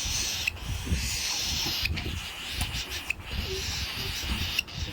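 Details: Hungry pet cockatiel chicks beg for food with a steady, raspy hissing that barely pauses.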